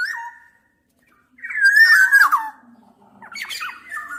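A black-naped oriole gives three short bursts of liquid, fluty whistles that slur up and down, with a brief silence between the first two phrases.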